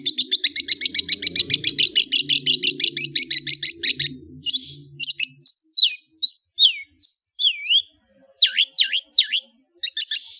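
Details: Chattering song of a long-tailed shrike: four seconds of fast repeated scratchy notes, then loud slurred whistles that sweep up and down, spaced with short gaps.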